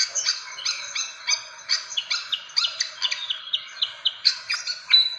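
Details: Fantail calls played to lure birds: sharp chirps repeated roughly three times a second, with short downslurred whistles mixed in, over steady high-pitched twittering.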